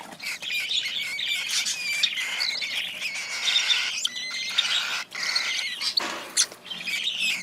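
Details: A cockatiel chick begging while being hand-fed: a near-continuous stream of harsh, rasping, high chirps with short gaps and a few sharper squeaks throughout.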